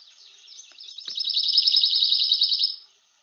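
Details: Pine Warbler, an early-returning warbler back in New England woods in late March–April, sings a steady musical trill of rapid, even notes about two seconds long, rising in loudness then stopping abruptly.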